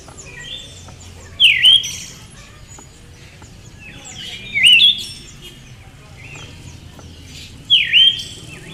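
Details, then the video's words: Three separate calls from a female Siberian thrush, about three seconds apart, each a high note sweeping down and then briefly back up, heard over steady light background noise. "SUARA BURUNG ANIS SIBERIA BETINA"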